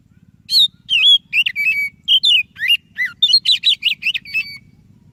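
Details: An oriental magpie-robin of the white-breasted kind sings hard as a lure for quiet kacer. Varied sweet whistles and slurred notes come fast, ending in a rapid trill-like run of repeated chirps, with a low background hum.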